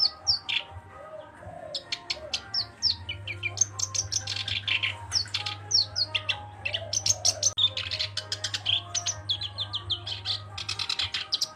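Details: Black-browed reed warbler in lively song, pouring out dense runs of scratchy, rattling notes broken by thin rising whistles and chirps, nearly continuous through the clip, with a constant low electrical hum beneath.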